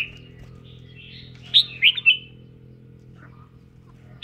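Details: Red-whiskered bulbul in voice training, singing and dancing: a single brisk phrase of three or four clear, slurred whistles, then a lone sharp note at the close, over a faint hum.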